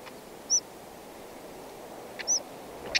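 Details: Black-headed stonechat, one of a wild pair feeding nestlings: two thin, high, downslurred whistles about two seconds apart, then a short double tick at the end, over a low steady background hiss.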